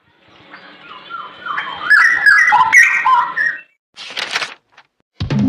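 Straw-headed Bulbul pours out a loud, rich, bubbling warble of liquid mid-pitched whistles for about two seconds, followed by short noisy bursts.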